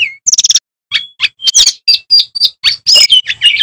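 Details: Male bamboo flycatcher in loud, full song, starting with a rising whistle and a quick trill, then a sequence of bright clipped whistles and short chirps at a steady pace.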